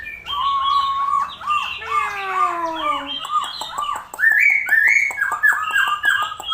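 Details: Strange-sounding bird giving a run of whistled, bouncing notes with a lower sliding tone beneath, then shifting to higher, rising squawky phrases repeated in quick succession.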